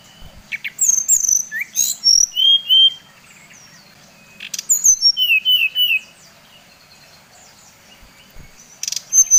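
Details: Brown-chested jungle flycatcher of Bali used as a lure for other birds: two phrases of quick whistled notes tumbling from high to lower pitch, separated by silence, ending with a faint short note.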